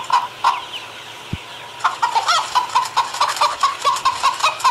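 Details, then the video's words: Chicken cackling at dawn, a series of rapid clucking notes near one pitch, quickening into a steady run of short repeated clucks after a brief pause and a low thump. "Galinha cacarejando"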